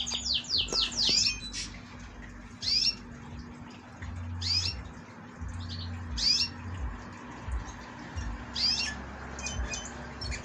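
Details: Young domestic canary, sole survivor of three chicks from a trio of yellow canaries, its head left featherless after injury; short high downward-sweeping chirps in loose bursts, a quick cluster at the start, over a steady low hum.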